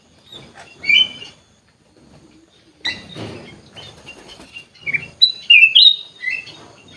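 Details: Sooty-headed bulbul in an aviary: scattered chirps and wing flutter, then a run of quick, liquid whistled notes toward the end.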